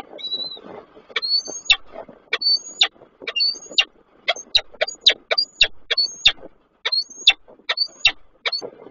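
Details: Male peregrine falcon at Koszalin, Poland, calling to his unringed mate on 23 December 2023, from an online camera; a rapid run of thin, rising, whistled notes, each closed by a sharp click, with low rumbling noise underneath.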